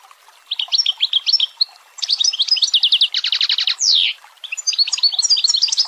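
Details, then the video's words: Long-tailed shrike (cendet) in the dense 'tembakan rapat' style: a varied chattering song of quick high twittering phrases, a buzzy rattled series, a downslurred squeal and more rapid chips. "MASTERAN CENDET PALING DICARI || FULL TEMBAKAN RAPAT"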